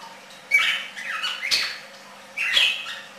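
A red-crested cardinal gives harsh, squawky phrases at about one per second, raspy notes mixed with brief whistled tones, with a faint low hum beneath.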